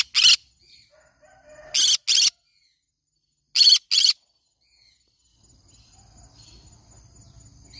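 A green-cheeked conure gives harsh, shrill screeches, one and then two quick pairs about two seconds apart, followed by quiet and a faint low rumble.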